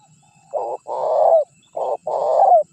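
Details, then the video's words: Tekukur, or spotted dove, calling on a decoy recording for attracting wild birds: two paired coos, a brief low note then a drawn-out hoarse coo bending down at its close, separated by a short pause. "Suara Pikat Terkukur Gacor Juara 1 Untuk Pancingan Cepat Bunyi"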